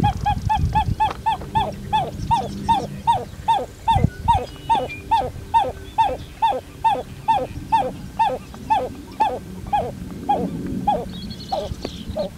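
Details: A long series from a Pied-billed Grebe: short hollow notes accelerate, then turn into regular downward-sliding whooping notes repeated about twice a second, with faint low rumble and a brief higher sound near the end.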